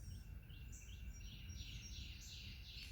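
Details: A gray catbird (identification uncertain) at a bird feeder, seemingly telling the person to leave, gives a quick, nearly continuous run of squeaky, high, rising and falling notes over a steady low rumble of wind.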